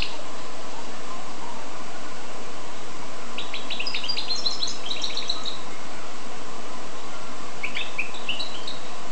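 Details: Song of a goldfinch and canary cross: a rapid burst of bright, chattering twitters lasting about two seconds, a pause, then a shorter twittering phrase near the end, over a constant low hum.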